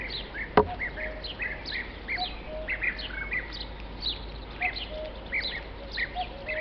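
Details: European bee-eaters, Merops apiaster, in the tops of tall trees at Parque Nacional La Rocina/Acebron, Doñana, Spain, 31 March 2011, camera-recorded: many rolling, liquid trilled calls overlapping steadily throughout, with a sharp click near the start.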